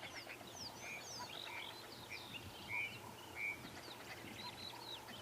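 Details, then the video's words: A group of Arrow-marked Babblers close by behind a branch on a safari drive keeps up a loud, raucous chattering, harsh nasal notes tumbling over one another without pause. "And you've got some arrow-marked babblers babbling away."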